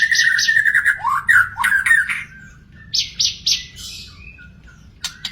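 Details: In the wild, a magpie-robin pours out a loud, slurred whistled phrase with a rising swoop, then three evenly spaced high buzzy notes and a few isolated clicks.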